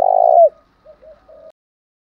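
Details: Spotted dove, decoy coo for luring rival males: one long, buzzy, trembling coo falling away at the end, followed by three soft low notes.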